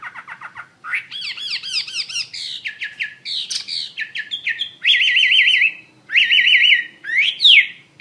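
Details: Chinese hwamei (wambi mandarin) singing actively: quick chips, arching whistles and clicks, then loud wavering trilled whistles repeated three times.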